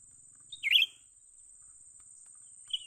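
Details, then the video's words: Young cucak ranting bulbul during trapping gives a buzzy whistled chatter, then a single short whistle two seconds later, over a continuous high insect hum. "memikat burung cucak ranting muda mantap"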